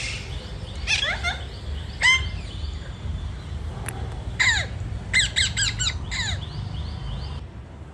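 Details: Indian ringneck parakeet on a terrace in Sahakarnagar, Pune: sharp, harsh squawks, single and in quick runs of three or four, with steady low traffic-like rumble behind.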